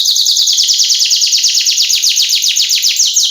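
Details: Canary song, a female luring the male, in the full 'cengkok isian' style used as a lure and tutor recording: a dense, continuous run of rapid sweeping notes, about six each second, bright and loud throughout.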